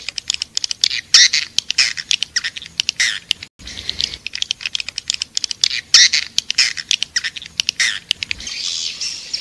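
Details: Edible-nest swiftlet attraction call ('Raja Liur Emas') for a swiftlet house: a rapid stream of high ticking clicks mixed with shrill twitters, briefly cut off near the middle, then resuming in the same pattern.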